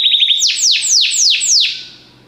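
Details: Belgian canary in song training, a brief burst of quick high notes followed by five loud descending sweeping whistles about a third of a second apart, fading at the end.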